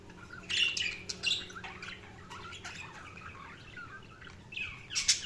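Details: Budgerigars chirping: quick bright warbling chirps and short squawky notes in bursts, strongest near the start and end, over a faint steady hum.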